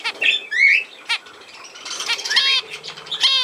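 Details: Budgerigars in a clip dated 17 November 2024: short rising whistles and buzzy harmonic chirps come in scattered bursts, with quieter chatter in between.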